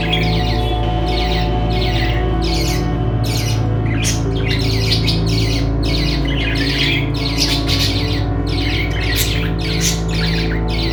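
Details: Budgerigars in a pet store chatter in rapid, scratchy bursts over a loud, steady low hum.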